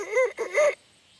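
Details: A red junglefowl, the wild ancestor of the chicken, in Khao Yai National Park, Thailand, gives a brief, high-pitched crow of about three harsh, rising-and-falling syllables. It is under a second long, higher than a domestic rooster's crow, with a shorter last syllable.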